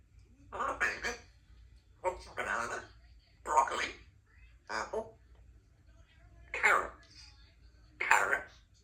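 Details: A 3-year-old female Congo African grey parrot, a talkative pet, talks in a home in six short speech-like bursts about every one to two seconds, with clear word-like syllables in a quiet room.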